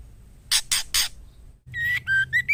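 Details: Female White-rumped shama calling the male to mate: three loud harsh rasping bursts, a pause, then a run of short clear whistled notes, some rising, in a quiet setting.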